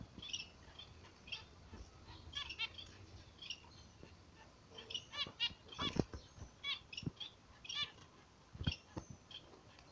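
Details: Zebra finch pair in the morning sun: busy bursts of short nasal call notes, mixed with dull thumps and knocks, perhaps from movement, in a faint background.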